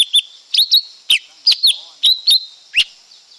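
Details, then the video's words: Lesser green leafbird singing a loose series of bright, clipped whistles and sharp chirps, irregularly spaced roughly a third of a second apart, some notes slurring downward, with little else audible. "เสียงนกเขียวก้านตองเล็ก Lesser Green Leafbird Sound"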